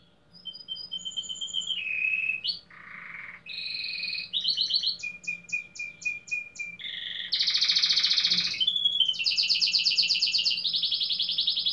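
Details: Domestic canary, tagged Belgian canary with fibra-style song, competing in the 15th edition of a singing contest in Pelotas, Rio Grande do Sul, Brazil: a long varied run of whistled notes, rapid trills, buzzy rolls and bright sustained high tours.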